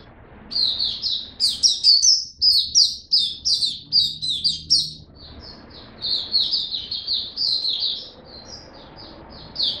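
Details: Kept white-eye giving high, thin twittering song, rapid chirped notes strung into long jittery phrases of about 2.5 notes a second, fading to softer trills near the end.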